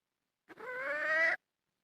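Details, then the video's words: Wild red junglefowl hen giving one drawn-out, harmonic call that rises slowly in pitch for about a second and then stops abruptly. The background is quiet. "Suab poj qaib qus seev tsauj dib tuaj zoo"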